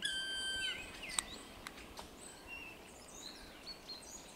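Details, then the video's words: Black woodpecker recorded on 3 April 2022: one drawn-out, harmonic, whistled call lasting under a second. Sharp knocks or clicks follow, with faint high chirps from other birds behind. "Dzięcioł Czarny"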